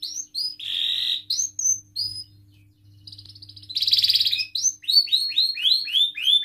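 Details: Canary singing as a lure to set other canaries off, with short upward whistles, two harsh buzzy bursts separated by a near-silent pause, then a run of quick rising chirps.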